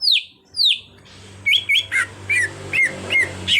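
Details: Caged green leafbird, an untrained bird being brought to sing freely: two high descending whistled slurs, then a run of short clipped notes about 2 to 3 per second, with a low hum underneath.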